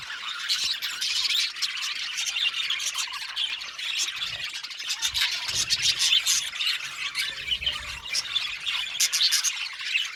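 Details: A crowd of budgerigars makes a steady, scratchy twittering chatter, fast squeaks and chirps layered over each other with occasional sharper squawks and little low noise.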